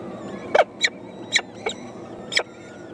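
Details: Four young peregrine falcon chicks at the nest begging their mother for food, harsh rasping squeals given in uneven bursts, five calls in three seconds.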